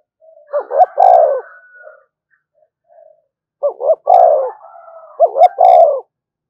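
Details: Spotted dove calling to provoke other doves, three low phrases each built from two brief coos and a sustained falling note, the last two phrases close together, with a faint thin whistle-like tone behind.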